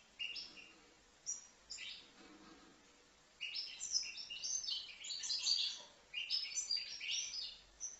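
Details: Five-month-old European goldfinch from Livno: scattered chirps at first, then a lively stretch of tinkling, twittering high notes delivered in quick clustered phrases.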